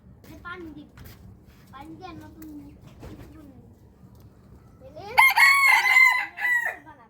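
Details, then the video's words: Several soft, low clucks and murmurs come first, then a loud rooster crow bursts in near the end with a sustained harmonic middle and a short closing note, given in the morning. "Rooster crowing sound effect"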